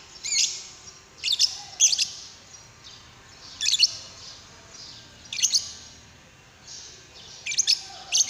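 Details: Lovebird calls played or given to prompt another lovebird to sing: repeated short bursts of piercing high chirps and squeaks, irregularly spaced every one to two seconds.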